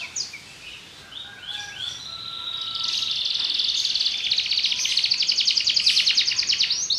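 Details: Belgian canary song beginning with soft scattered chirps and a thin whistle, building into a loud, very rapid high trill that grows stronger toward the end.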